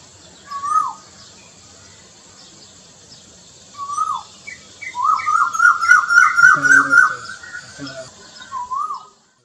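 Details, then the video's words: Male Asian koel gives a courtship call to attract females as crows start nesting: single clear whistled notes a few seconds apart, then a fast run of rising whistles building in pace and pitch, with fainter high chirps behind. "Asian Koel Call | Koel Sound | Koel Bird Singing | Koyal Ki Awaj |कोयल की आवाज | कोकिळा | Courtship"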